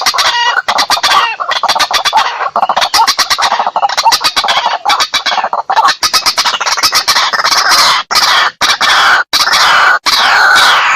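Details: White-breasted waterhen (ruak-ruak) lure recording for hunting, for use day and night: dense, harsh, rapid clucking and croaking notes in fast broken bursts with brief gaps, loud throughout.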